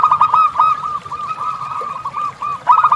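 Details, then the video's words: Zebra dove tutor recording for captive birds, river ambience behind: loud rapid coos at the start, softer continuous arched notes through the middle, and another loud burst closing. "Masteran Perkutut Natural Sound of Alam Sungai"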